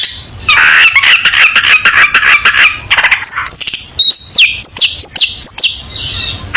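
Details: Long-tailed shrike song for training young shrikes: a scratchy buzzing chatter for about three seconds, then a series of clear, high whistles, each sliding downward, repeated roughly twice a second.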